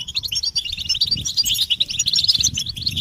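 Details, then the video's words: Chorus of European goldfinches giving mating and readiness calls meant to rouse silent males into song; rapid, bright twittering notes crowd together in a steady, unbroken stream of high chirps. "بتبتة الحسون تحفيز الحسون على التغريد والهيجان علاج صمت الحسون goldfinch stimulation"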